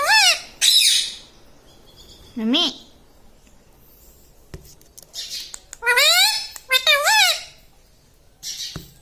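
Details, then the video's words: Pet talking parrot indoors, said to say "mummy" and "mitthu" like a human; clear harmonic voiced phrases bending up and down, in short bursts at the start, near 2.5 seconds, and from 6 to 7.5 seconds, with quiet pauses between. "Talking Like a Human - Mummy Bolne Wala Tota - Talking Parrot"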